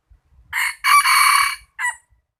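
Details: Close cock-a-doodle-doo from a rooster: a quick first syllable, a long steady ringing note, and a clipped closing note, all clear against a quiet background.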